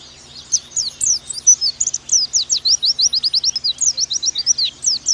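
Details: Pleci song from a masteran tutor recording for 'nembak': a short pause, then a dense, high, rapid chatter of sharp slurred chirps, steady and energetic through the remaining four seconds.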